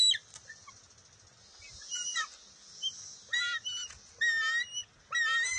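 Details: At the nest, June 23, 2021, a bald eaglet takes a fish back from its mother: soft chirps at first, then loud, stacked, shrill squeals building in a choppy series toward the end.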